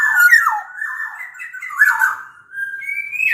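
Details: Sumbawa black-naped oriole, larger than Bali or Java birds, pouring out a continuous mellow whistled warble that wanders up and down, then finishes on a level, rising whistle. Serves as a lure for reluctant orioles.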